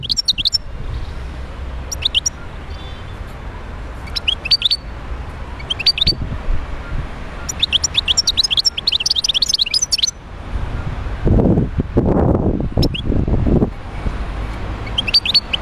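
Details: Wild European goldfinch, Médéa, Algeria, singing in repeated short bursts of bright twittering notes every couple of seconds, one longer rich run near eight seconds, with low rumbling noise in the background.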